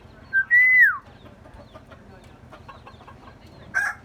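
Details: A myna's voice: a short whistled note, then a long sustained whistle that bends downward near its end. A quieter pause follows before a brief harsher whistled note closes the sequence.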